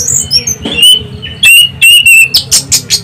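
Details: Orange-headed thrush singing as a lure for other birds: a lively run of clear, sharp whistled notes and short slurs, followed by several quick high chirps at the close.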